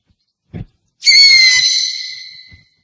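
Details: A lone owl screech, high and tonal with ringing overtones, sustained for about one and a half seconds and slowly fading, preceded by a brief dull thump.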